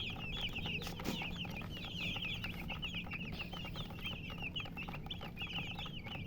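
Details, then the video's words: Chicken chicks chirping continuously, high quick peeps tumbling over each other, after a short knock early on, against a low steady background noise. "MURGI Baby "Chicks Chirping" Sound"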